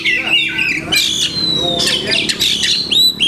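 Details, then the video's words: Oriental magpie-robin, locally kacer, with a song of varied masteran imitations: scratchy bursts, a long thin level whistle and sharp upslurred notes, fairly irregular, over faint low hum. "Banyak Masteran iNi Kacer"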